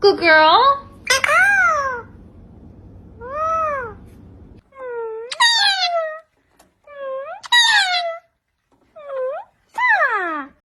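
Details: Pet parrot indoors giving a run of nasal, meow-like calls, each arching up and down in pitch with rich overtones, about six in ten seconds, after a person briefly speaking at the start.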